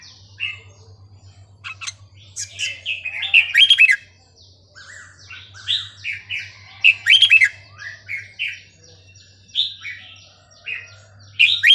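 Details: Burmese-style song of a red-whiskered bulbul, used to teach young birds: a continuous run of short slurred whistles and chirps, with louder bright bursts recurring every few seconds over a faint low hum.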